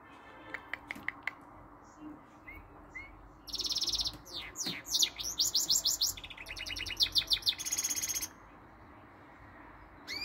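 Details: Goldfinch × canary hybrid mule singing canary-like notes, said to sing all day long: scattered chips and upslurred whistles, then bursts of rapid buzzy trills and fast repeated notes between brief pauses.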